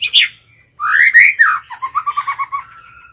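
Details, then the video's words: A White-rumped shama decoy sings to challenge wild birds. A short high note, a pause, then a rich upward-sweeping whistle that breaks into a rhythmic train of about eight rapid, even notes. "Chích chòe lửa mồi hót gọi bổi"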